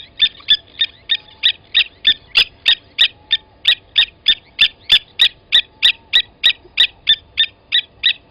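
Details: Blacksmith lapwings calling at a Djuma Game Reserve waterhole, South Africa, 29 August 2020, as an adult takes and kills a chick: long, fast run of bright clinking notes, some doubled, nearly continuous.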